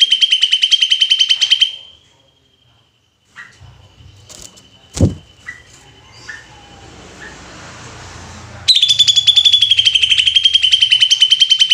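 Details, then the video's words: A greater green leafbird gives its rapid "tembakan" song, meant to provoke other leafbirds: a high, buzzy run of repeated notes at a steady pitch, broken by a quiet stretch with clicks and handling noise. "cucak ijo ini"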